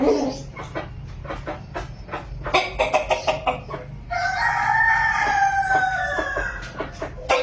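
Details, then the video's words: Chicken in a village: a run of quick, irregular clucks for several seconds, then a long harmonic crow that swells and trails off, with more clucking at the end over low rumble. "Hen sound effect | hen sound video effect in village"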